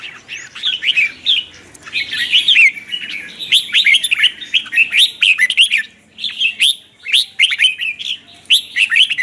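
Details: Continuous red-whiskered bulbul training song, morning chattering 'chè' style: dense, lively run of warbled whistles and quick twittering notes, almost without a break, with short gaps near the middle and toward the end.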